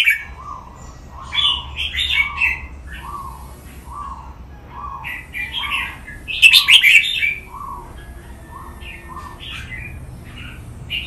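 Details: Red-whiskered bulbul, a cage bird, heard in a song-training recording: bright warbled phrases repeated over and over above a steady series of lower, soft hooting notes, with one louder burst midway.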